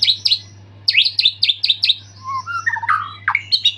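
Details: White-rumped shama singing after its moult with full fill-in phrases: a series of sharp, repeated downslurred chips about four per second, then lower whistled slurs and rising squeaky notes.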